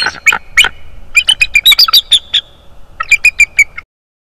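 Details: Bald eagle at a North East Florida nest, caught by a nest camera on 25 January 2022. A few harsh shrill notes lead into a fast series of high piping chirps, a short pause, then a second descending run of piping notes, then silence.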